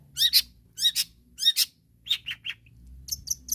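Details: Long-tailed shrike uttering rival-provoking calls: three paired, sharp, squeaky double notes, then a few lower chirps and thin high whistled pips at the end.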